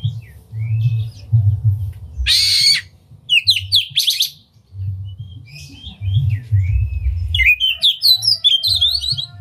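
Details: Oriental magpie-robin singing with open tail, meant to provoke rival magpie-robins to sing: separated bursts of harsh notes and short whistled figures between quiet gaps, ending in a rapid series of high twisting notes; low hum throughout.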